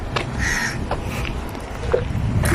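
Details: Crow calling outside company workers' housing, a few harsh cawing notes rising over steady low background rumble and noise.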